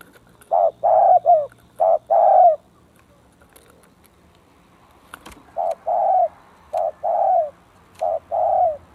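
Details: Spotted dove, a caged lure bird placed next to a bold, aggressive rival dove: low, rhythmic cooing phrases of several short hooted notes, one phrase, a pause, then another, with faint rural background.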